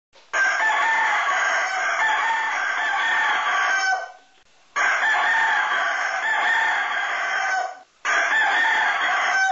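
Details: Yellow-legged Asil rooster crowing indoors in Alaska, in edited footage: two long, loud, harsh crows, each holding steady for about four seconds, then a third starting after short breaks, with no other sounds.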